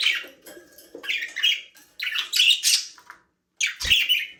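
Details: Budgies enjoying a small aviary produce busy, scratchy warbled chirping, near-continuous squeaky phrases with one short silence before a last loud burst.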